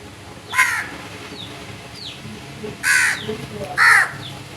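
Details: Loud crow caws: one harsh call, a pause with faint chirps, then two strong raspy caws about a second apart, all broad and grating.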